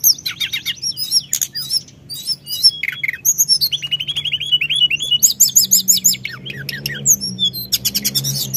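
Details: Sunda whistling thrush singing continuously to provoke other birds: a rapid, varied medley of high trills, sharp chirps and fluid whistled phrases, the notes packed densely in fast bursts, with a faint low hum beneath.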